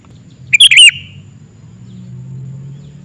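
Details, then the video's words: Sooty-headed bulbul lure song: one brief, loud whistled phrase with a quick warbling rise and fall, then quiet with a low background hum. "Kicauan pikat kutilang"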